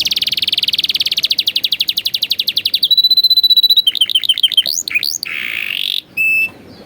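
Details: Training song for young canaries, with luxurious varied phrasing: a rapid rolling trill of about ten notes per second, a level high whistle, bouncing swept notes, then short buzzy bursts with brief gaps.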